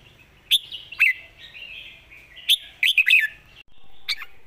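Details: Red-whiskered bulbul in Thailand, noted as a rising young bird with a light voice and good phrasing, gives scattered sharp whistled notes, then a quick tumbling warbled phrase, and ends with a single note against soft background hiss.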